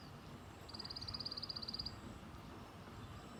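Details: White-eye heard in a tành tạch call: one quick, high, rattling series of evenly spaced ticks about a second long, set against constant low background rumble.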